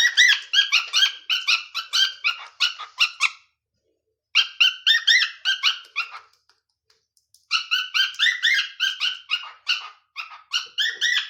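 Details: Young male pet cockatiel with crooked toes, still learning to sing and mixing up melodies, sings bursts of rapid, warbling whistled notes broken by brief pauses.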